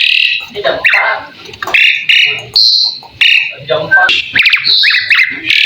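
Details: Asian pied starling delivering tutor song: harsh rasping notes and crackling chatter alternate with sharp whistled upslurs and short clicks, varied and continuous.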